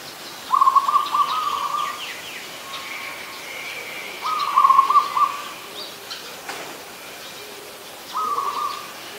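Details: In Ubon Ratchathani, Thailand, on 24 December 2020, an adult zebra dove gives three bursts of rapid, broken cooing notes. Thin higher whistles and chirps from other birds sound in the background.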